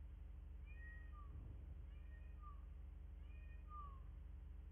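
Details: Bald eagles on a nest camera in Miami-Dade County, Florida, on 10 February 2024 at 09:14. Thin, whistled notes slide downward in short groups, recurring about every one and a half seconds over a steady low hum.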